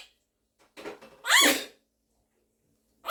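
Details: Quaker parrot, a pet Monk parakeet, vocalising with its owner indoors: a couple of soft rasping notes lead into one loud, harmonic, speech-like squawk, followed by silence and a brief sharp note at the end.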